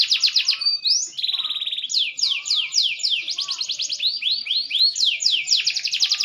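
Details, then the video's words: Rich, varied singing from a maturing green canary: quick trills, a short buzzy rattle, series of clear descending sweeps and rising slurred whistles, loud and continuous. "burung kenari hijau makin dewasa wakin baik kicauan nya"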